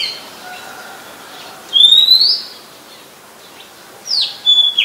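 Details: Oriental magpie-robin, a very common resident, singing in Ubon Ratchathani, Thailand, on 17 July 2021, recorded with a Nikon P1000. Two bright, high whistles rise sharply, the second followed by short trailing notes, with quiet background between them.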